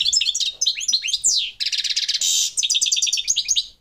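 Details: European goldfinch of the subspecies parva singing a fast, unbroken twittering song: high liquid chirps and sliding notes, then a dense buzzy rattling passage, then more quick chattering phrases, with no other clear sounds.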